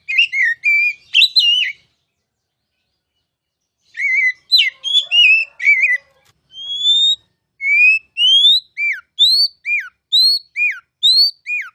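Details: Kacer, the oriental magpie-robin, in ngeplong masteran song meant to coax caged birds into singing: a burst of fluttering notes, a pause, more chattered phrases, then a string of clean rising whistles alternating with downslurred notes.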